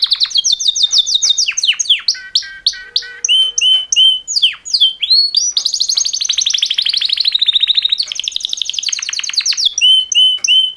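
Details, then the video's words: Two champion male canaries in mating song: an unbroken, energetic stream of rapid trills, rolling rattles and clear repeated whistles, phrases shifting every second or two, high-pitched throughout. "Super Two Males Canary Mating Call Songs"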